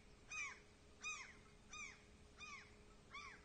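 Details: Seagull chick in Norway, lost and calling for its mother, gives thin arched descending cries at a steady pace, five calls spaced roughly 0.7 seconds apart, somewhat fainter with light background hiss.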